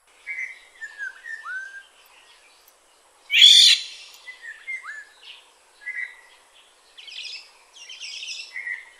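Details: Black-naped oriole in Kaohsiung City on 9 May 2016, a bird of broadleaf woods: fluid whistled notes slide downward, repeated in short phrases, interrupted midway by one loud, sharp, high burst, with faint buzzy notes near the end.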